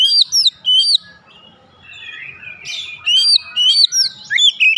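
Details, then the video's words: Oriental magpie-robin in full song: bright, high whistled phrases with quick slurred notes and chirps, delivered in bursts with short pauses. "memancing Kacer cepat ngeplong gacor"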